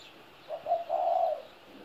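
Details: One low two-part coo by a spotted dove 17 years old, a short clipped opening note followed by a smooth, longer burry note, with faint background hiss.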